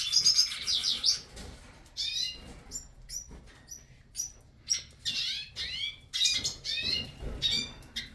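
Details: Hooded siskins in a breeding aviary, starting to sing: bright twittering and warbled phrases of high chirps and quick trills in bursts separated by short pauses, with faint low background rumble.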